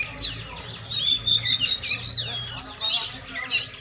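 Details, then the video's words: Oriental magpie-robin singing during training: rapid high chattering and whistled phrases, with many short downward sweeps and buzzy trills that rise and fall in loudness roughly every half second, over a steady low hum. "latihan burung kacer"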